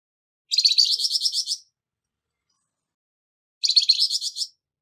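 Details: Flamboyan bird with a rough voice, recorded to train songbirds; two long rattling phrases of rapid harsh pulses, each about a second, three seconds apart.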